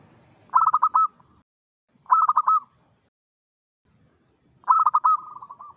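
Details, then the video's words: Local zebra dove singing vigorously at dawn: three bursts of rapid staccato cooing notes, each ending in a short rolling trill, separated by pauses of about a second, with faint low rumble underneath. "PANCINGAN SUARA PERKUTUT LOKAL GACOR SUBUH"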